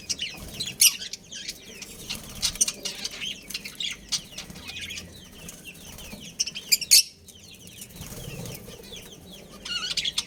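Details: Breeding pair of pet budgerigars in a family group, giving scattered high chirps and short warbled notes in loose bursts, with a faint low hum beneath.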